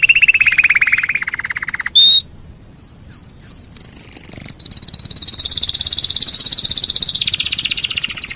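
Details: Canary song with a long rapid rattling trill, a brief pause, three quick rising notes, then a sustained high buzzy roll stretching to the end.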